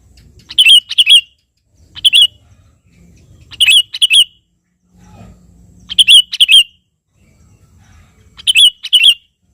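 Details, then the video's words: Sooty-headed bulbul singing persistently to call a rival. Crisp paired whistled phrases repeat about every two seconds, bright and slightly warbling, with a brief low hum between some phrases. "suara burung KUTILANG GACOR memanggil lawan"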